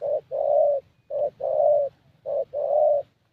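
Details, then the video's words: ["Spotted Dove, a young 'thổ' bird noted for a fairly good voice, cooing at a decoy session in Gia Lai, Vietnam. It gives three soft, low phrases, each a brief note then a drawn-out hollow coo, about a second apart."] "Thổ Tơ Âm Giọng Khá Tốt"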